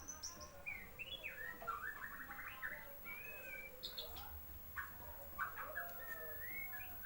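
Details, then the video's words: Young white-rumped shama learning to sing: varied whistled phrases, short rising and falling slurs and quick note clusters at mid-high pitch, separated by brief gaps, over a low rumbling background. "burung murai blajar ngplong gacor"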